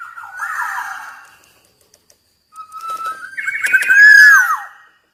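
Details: Black-naped oriole gives two whistled phrases with a pause between them: a short, soft warble, then a longer rising whistle that climbs to a loud, arched, downward-slurring finish.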